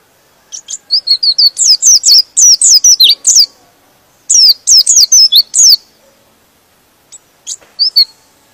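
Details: White-eye singing in a way said to provoke other white-eyes into agitated singing; two fast bursts of sharp, very high, downslurred chirps, each lasting over a second, separated by a pause and followed by a few scattered notes.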